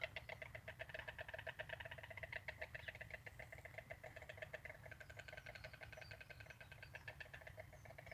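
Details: Storks in Zennewijnen, Holland, in March 2018, clattering their bills to communicate: a fast, dry, wooden rattle of rapid clicks running steadily throughout, over a low rumbling background.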